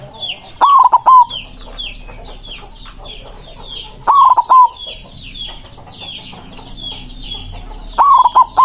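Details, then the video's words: White zebra dove in full, loud song aimed at rival birds: three broken cooing phrases spaced roughly three and a half seconds apart, each a hoarse opening note and short coos, over busy high chirping of other birds. "Perkutut putih gacor suara besar ampuh memanggil lawan bunyi emosi manggung"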